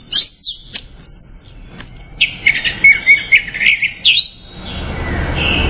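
Orange-headed thrush singing a quick run of varied, sweet chirps and short whistled notes, several per second, ending in a rising background hiss.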